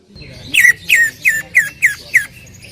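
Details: Greater green leafbird singing loudly: six bright downslurred whistled notes repeated about every third of a second, each falling sharply from high to mid pitch, clear over a faint low hum.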